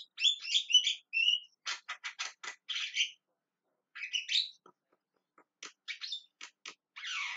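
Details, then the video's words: Calling Javan myna mixing whistled-edged chatter with rapid dry clicks, then scattered clicks and a final drawn-out harsh squawk. "JALAK KEBO TERIAK TERIAK MEMANGGIL"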